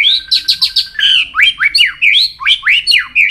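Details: White-rumped shama singing a training song meant to push fast, intense, many-voiced singing, with loud, bright whistled notes, each sharply rising then falling, delivered in quick succession.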